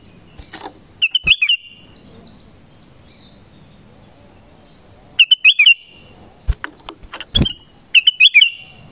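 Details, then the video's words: Black-crested bulbul calling sound used to lure wild birds of its kind: three bursts of quick, bright whistled notes, several seconds apart, over a faint steady high tone and soft low background rumble. "SUARA PANGGILAN KUTILANG EMAS"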